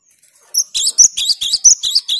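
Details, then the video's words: Rapid clear phrases of a persistently singing cinereous tit, the kind said to stir up rival birds: sharp high paired notes repeated several times a second. "Suara Gelatik Batu/Wingko Gacor Jernih bikin emosi LAWAN"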